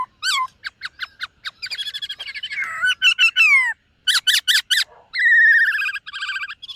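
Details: White-cheeked laughingthrush in morning singing practice, delivering rapid chattering notes and short whistled slurs, mixed with harsher rattling phrases and quick bursts, with a brief pause midway.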